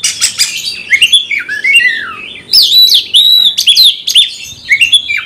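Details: Oriental magpie-robin kept in a cage, singing to provoke a fight: descending whistled slurs followed by bright, ringing high phrases with harsh scratchy notes between.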